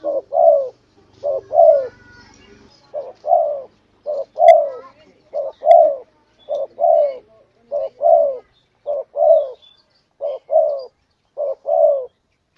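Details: Spotted dove lure call, long duration: about ten steady, two-part coos, each a short note plus a falling, mellow coo, repeated roughly every second. A low hum is heard at the start.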